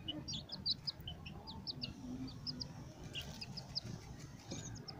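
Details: White Leghorn chicks playing, giving rapid, high, thin peeps in scattered overlapping bursts throughout, over a low rumbling background.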